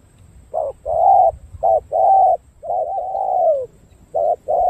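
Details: Spotted dove from Cà Mau in Vietnam, cooing with a well-formed song pattern. Repeated low hooting notes come in short and long blocks, including a long wavering coo that falls at its end. The calling is loud and close.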